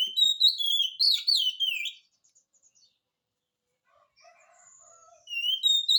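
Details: Oriental magpie-robin in full voice, meant to draw a song from a quiet magpie-robin: two seconds of rapid, varied high whistles, then near silence with faint chirps before the whistling resumes.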